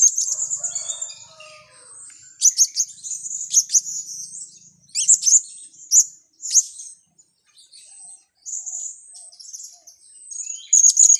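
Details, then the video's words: Lure call for trapping blue-crowned hanging parrots: a high thin trill, then loud sharp squeak bursts at irregular intervals, broken by short quiet gaps. "Pelapis pikat"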